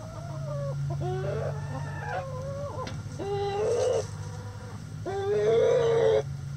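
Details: Chicken egg song: a run of repeated nasal harmonic notes, each with a quick upward bend, building to two longer, louder drawn-out cries, over steady low farmyard hum.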